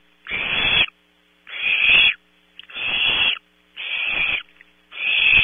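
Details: At 3 am in a California nest cavity, Barn owl owlets vie for a delivered prey item, giving five rasping, breathy hisses in quick succession, each about half a second long, against a quiet background with low electrical hum.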